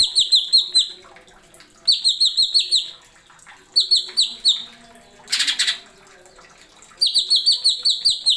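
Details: Greater green leafbird, or cucak ijo, repeating short bursts of four to six bright, falling whistles about every two seconds as masteran tutor song, with one harsh rasping note between bursts.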